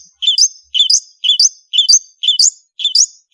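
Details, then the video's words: Long-tailed shrike (cendet) repeating a two-part whistled phrase, a low slur then a higher twisting note, about twice per second with steady timing. "BURUNG CENDET GACOR"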